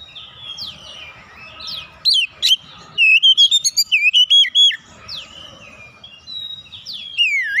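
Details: Magpie-robin singing as a lure to provoke other birds; thin downslurred whistles, then a fast stuttering burst of pure high notes, fading to quieter swoops and a final slurred whistle.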